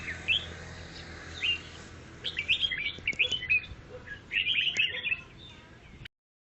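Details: Grey-cheeked bulbul in chattering song: scattered single chirps, then quickening runs of bubbly, jumbled notes, with a low background hum until it stops abruptly.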